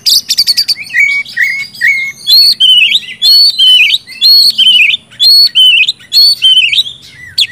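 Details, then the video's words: Kacer, the oriental magpie-robin, singing steadily in the open 'gacor ngeplong' style used to coax quiet birds into song; rapid chips give way to repeated bright whistled slurs, about one per second. "kacer gacor ngeplong,sangat cocok buat pancingan kacer macet"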